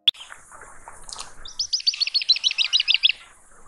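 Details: A Semipalmated Sandpiper gives a quick run of about a dozen high, thin chirps in under two seconds, after a faint, scratchy lead-in.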